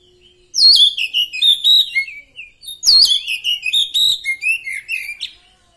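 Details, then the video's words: Oriental magpie-robin of the poci type, trained through therapy, giving 'nembak' song: two loud, dense bursts of rapid varied whistles and chattering notes, each lasting about two seconds, separated by a short pause. "Kacer poci hasil terapi vor NANJUNG 105 jadi nembak"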